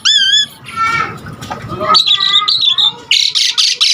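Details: Asian pied starling in energetic song for luring and tutoring starlings: wavering tonal whistles and nasal warbled phrases, followed by a closing series of harsh, raspy bursts.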